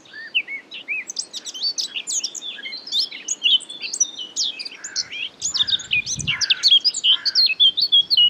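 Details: In May 2017 at Marais d'Harchies, Belgium, a Eurasian Blackcap (Sylvia a. atricapilla) opens with a hurried, jumbled twittering warble that swells into louder, clearer fluted notes near the end; one brief low thump midway.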